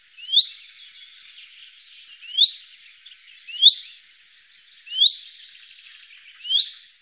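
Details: Common chaffinch in the Wittlich valley, 2018: a short, rising whistled note repeated about every two seconds, five times, over a faint steady background hiss.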